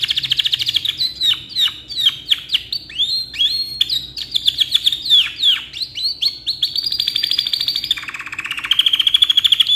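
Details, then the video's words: Canary singing a long, lively song meant for tutoring other birds: fast trills and sweeping whistled notes around the upper-middle range, ending in a lower buzzy rattle then a rapid high repeated trill. "KENARI HARGA 1500NT‼️GACOR KICAU PANJANG COCOK BUAT MASTERAN"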